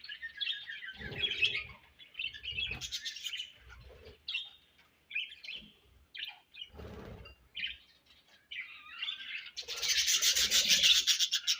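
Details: Budgerigars feeding and passing food, heard as separate short bursts of squeaky chirps between pauses, ending with a sustained hissing rush of sound.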